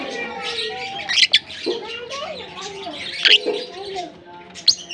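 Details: Colony of African lovebirds in Larkana: squeaky chattering with occasional sharper shrill notes every second or two, over a soft bed of lower calls.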